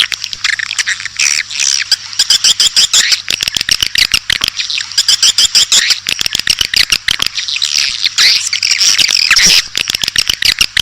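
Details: Edible-nest swiftlet lure call for attracting swiftlets: continuous high buzzy chirring mixed with dense rapid clicks, with a faint low hum beneath.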